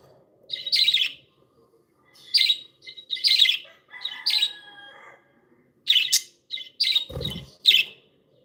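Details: Pet budgerigars chirping happily: bright, high chirps and short warbled phrases come in quick bursts separated by brief pauses, with one faint thump near the end.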